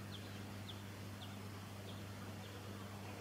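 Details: A Silvereye of subspecies pinarochrous, recorded in Victoria, Australia, in December 2017, gives thin, high, slightly falling notes about twice a second, faint against a steady low engine-like hum.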